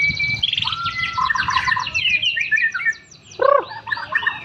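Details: Champion white-rumped shama kept low on a street, singing a rapid rattle of high notes and gliding whistles that pauses briefly, then resumes with a loud harsh note and more chattering phrases.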